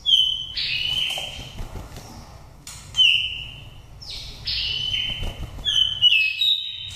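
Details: Oriental magpie-robin with a wild forest voice, a five-season nest-raised bird from Dak Lak used as a lure. Clear whistles with upward and downward slides come in quick phrases, with brief quiet spells between them.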